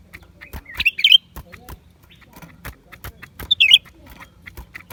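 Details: Lesser green leafbird, January 2023, giving two quick high twittering phrases roughly three seconds apart, while crisp clicks and taps tick along in the background.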